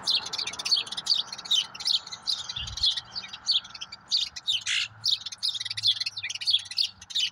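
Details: Pair of common grackles raiding a stash of walnuts in a neighborhood yard, filmed by a bird cam; dense, sharp high chirps in quick irregular bursts, with one brief loud rustling knock midway.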